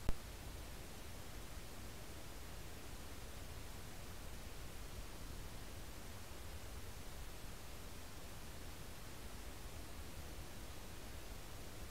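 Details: Only a faint, steady hiss of low background noise, with no animal calls.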